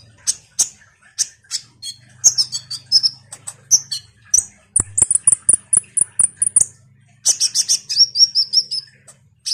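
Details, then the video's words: Lively common iora song, offered as a lure to provoke ninja sunbirds. Dense high chatter with thin whistled slurs and a fast string of even piping notes midway, over a faint low hum. "Semua burung KOLIBRI NINJA PASTI MERESPON suara PANCINGAN KONIN GACOR NGOBRA ini"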